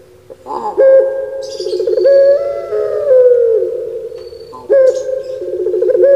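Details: Pelung turtle dove kept in Java, Indonesia: a throaty 'kuk' start followed by a long, deep, resonant coo that swells, wavers and falls, then a new phrase begins.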